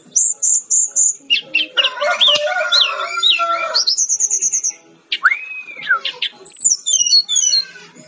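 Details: Brown-chested jungle flycatcher, an insect-eating bird of forest edges and plantations, singing a varied sequence of high whistles, buzzy trills, a sweeping arched slur and rapid descending notes; some overlapping calls in the middle.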